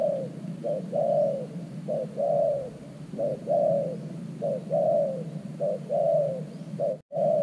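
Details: Steady low cooing from a new decoy spotted dove set at an earthen trap to draw in wild doves: six two-part phrases, a short note then a longer falling coo, cut by a brief dropout near the end.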